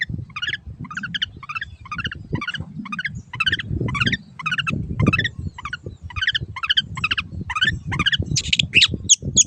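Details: Long-tailed shrike, known locally as cendet, recorded as a teaching song for caged birds that have gone quiet or moved to a new keeper: harsh, ragged notes repeated about twice a second in a steady series over a low background rumble.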